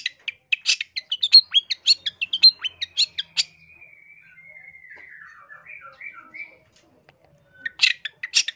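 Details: Long-tailed shrike, energetic full-filler master song from Indonesia for training or luring birds: a rapid string of sharp, high notes, then a quiet, drawn-out wavering warble sliding downward, and loud chatter returning at the end.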